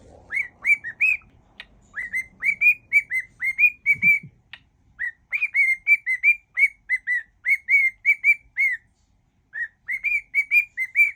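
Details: Whistling pet cockatiel performing a medley of tunes; long runs of clear, slightly rising whistled notes at a steady pitch, briefly interrupted by a low thump, then resuming in a brisk, even rhythm.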